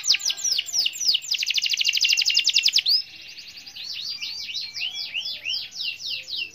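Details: Canary singing a long roll to call a rival: sweeping high notes that speed into a fast, even trill lasting over a second, then a brief low buzzy break before looping slurred phrases resume.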